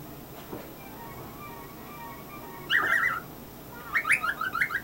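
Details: A male cockatiel, kept as a pet, chirps during his funny routine: faint wavering tones at first, then a burst of scratchy chirps and a string of short, quick, bouncing notes.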